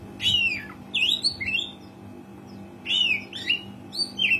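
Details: Oriental magpie-robin singing loud, varied whistled phrases, some sliding down and others rising, delivered in two bursts separated by a pause, used as a lure to encourage other magpie-robins to sing, with a low steady hum in the background.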